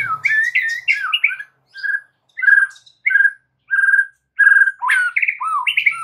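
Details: White-rumped shama singing, used to entice other shamas to sing frequently and learn more phrases; rich whistled notes, repeated steady mid-pitched whistles about every half second, mixed with slurred phrases and high sharp accents.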